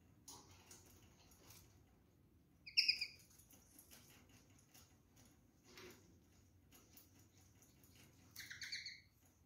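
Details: Rose-ringed parakeets, a pair eating seedless orange and apple: two short, harsh harmonic calls spaced several seconds apart, with soft pecking and tapping sounds between them.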